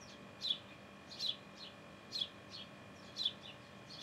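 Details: Sparrow in its nest uttering high, short chirps in loose pairs, about two per second, over a low steady hum.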